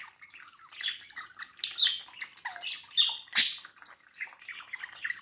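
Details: Domestic budgerigar warbling toward a mirror indoors: fast run of squeaky whistles, buzzy chirps and clicks, with a loud sharp squawk after three seconds.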